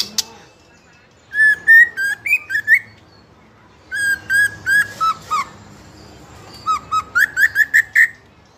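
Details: Young spotted-plumage White-rumped shama of fighter type, singing nonstop as a lure to provoke other young shamas into singing; three bursts of clear whistled notes, each rising slightly, with short gaps between phrases over faint background hiss.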